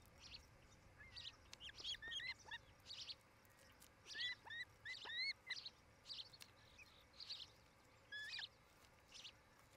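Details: Osprey at a nest in Charlo, Montana, filmed by a nest camera on an early evening in July 2018: scattered short, hooked, upslurred whistles in loose groups of two to four, over a steady hiss of background noise.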